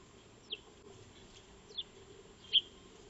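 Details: Feeding Eurasian tree sparrows (Maya birds) in a backyard, recorded 02-03-2025 by a motion-sensing solar wildlife camera; three separate high, short chirps spaced over about two seconds, the last loudest, above a low steady hum.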